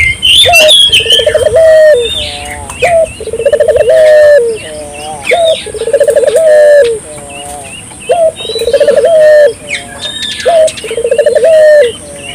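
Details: Spotted dove used as a lure to prompt local doves to call, cooing over and over: a sharp opening note, a quick pulsing run, then a steady drawn-out ending, about every two and a half seconds, with busy twittering of small birds behind.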